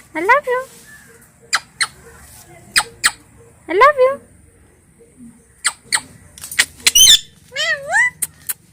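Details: Two pet talking parrots give sparse, sharp clicks and taps mixed with a few quick wavering word-like phrases, including a buzzy rising burst near the end, in a quiet room.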